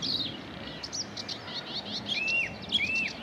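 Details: Whitethroat singing at Saltersford Locks on 8/5/2013: a short scratchy, hurried warble of chattering notes, with a couple of longer clear slurred whistles, over steady background noise.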